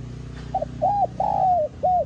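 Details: Spotted dove cooing in the clear "giọng son" voice style, calling and urging coos: a short soft note, then three mellow low hooting coos, the third long and slowly falling, with a faint steady low hum behind.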